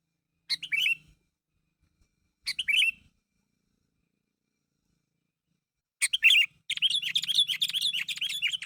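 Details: Chatty sooty-headed bulbul calling to prompt other bulbuls to reply; two short chirped phrases two seconds apart, a pause, then a dense, tumbling stream of chirps with a faint low hum beneath.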